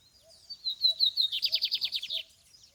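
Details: Out in the field on a campeada, a lined seedeater delivers a short song: high buzzy slurred notes that break into a quick series of about twelve evenly spaced pulses, with faint chirps in the background.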